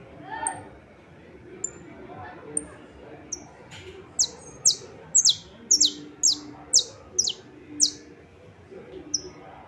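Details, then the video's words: Saffron finch song from 28 March 2026: scattered thin high notes build into a quick run of about a dozen downward-sweeping chirps, then taper off, with soft speech faintly underneath. "Canário da terra cantando"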